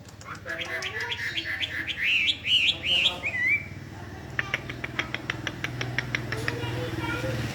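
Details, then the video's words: Hwamei delivering a fast series of loud whistled notes that rise into bouncy, looping slurred phrases, followed by a string of short dry clicking notes over a low background hum. "hwamei 2 full bunyi bagus"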